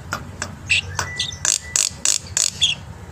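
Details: Morning song of a black-winged myna, meant to tutor young birds: a string of rasping chips and thin squeaky whistles roughly three per second, plus a brief steady tone and low background hum.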